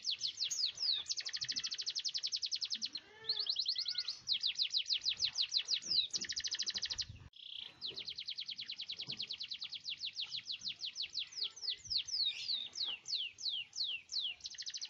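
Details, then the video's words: Long rolling song of a canary, played to prompt other canaries to sing: extended high trills of rapidly repeated notes, switching pace between runs, with a few short gaps and faint background noise. "Kenari gacor ngerol panjang"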